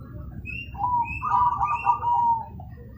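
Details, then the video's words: Zebra dove singing loudly: a soft, low, rolling coo phrase, a short note followed by a longer burbling trill, with faint low background rumble. "Burung perkutut manggung kenceng"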